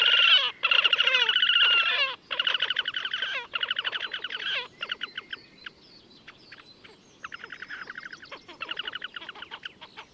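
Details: Slavonian grebe in the wild at Gavieze, Latvia, May 2024, giving a loud rippling trill that breaks into rapid stuttering bursts of notes, gradually thinning and fading, then a final quieter trilled run.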